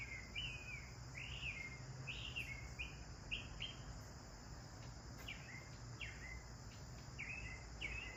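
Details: Bathing sparrows give a steady run of sharp downslurred chirps, roughly two or three per second with brief gaps, against a constant low rumble.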